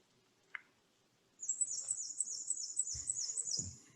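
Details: Black-and-white warbler (Mniotilta varia) song: a very high, thin, quick run of squeaky paired notes, like a rusty wheel rolling fast down a mountain, lasting about two and a half seconds; a click and soft thumps.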